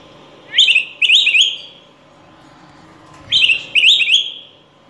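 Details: Critically endangered Araripe manakin in the Brazilian forest singing two pairs of quick, gurgling, warbled phrases, each about half a second, high-pitched and rolling, separated by a short pause.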